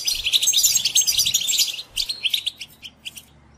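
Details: Captive-bird stimulation song of a European goldfinch: a dense, fast twittering phrase for about two seconds, then spaced single chirps about twice a second, fading out.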